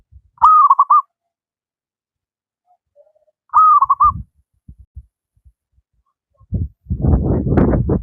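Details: Native wild zebra dove in eager song, suited for training lazy doves: two stuttering cooing phrases about three seconds apart, followed by low thumps and a burst of rustling handling noise.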